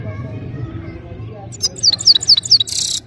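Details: Goldfinch singing powerfully: after a low rumble with faint voices, a quick run of sharp, bright, sliding notes repeated about every quarter second, ending in a harsh buzzy burst.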